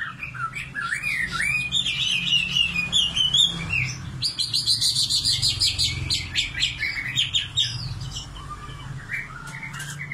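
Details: Nightingale in song, mixing sliding whistles with buzzy trills and rapid repeated notes, varied phrases delivered steadily with a low background hum.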